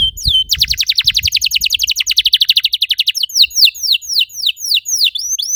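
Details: Canary song meant to stimulate others to sing: a fast rolling trill of many rapid downslurred notes, followed by slower swooping whistles repeated roughly three times a second.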